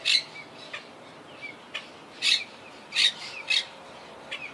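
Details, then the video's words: Quaker (monk) parakeets in a wild tree colony that lost half its members to hurricane Irma in 2017: harsh, rasping squawks in irregular bursts, a few loud, others fainter, with brief pauses between. "Yacht Club Colony Retrospective🌴 Clips and Sounds 🦜"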